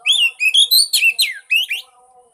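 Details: Whistled song of an Oriental magpie-robin, played to encourage a silent bird to sing: a quick run of bright, warbled notes rising and falling, ending in softer low tones.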